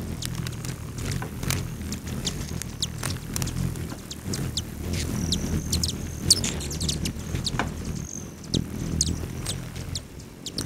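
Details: Hummingbirds visiting feeders on a west-facing lodge patio just outside Great Sand Dunes National Park, Colorado, 9:14 AM on July 29. Sharp, high ticking chips come steadily, broken by brief, thin, buzzing whines over a low background hum.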